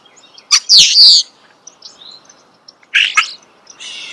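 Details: Starling close by gives a loud, squeaky, whistled slur after a click, then falls quiet before a rough, buzzy chatter and a fainter hissing rasp at the end.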